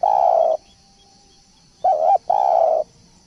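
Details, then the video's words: Spotted dove decoy call used to lure birds: a long, low, steady coo, then after a pause a short broken double note and another long coo. A steady high insect drone runs underneath. "pancingan burung balam/tekukur"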